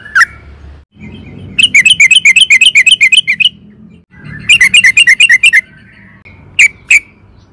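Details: Sooty-headed bulbul (trucukan) on a lure recording meant to get other bulbuls singing: two quick bursts of about a dozen bright, bubbly chirping notes, then a pair of single notes, over a faint low hum.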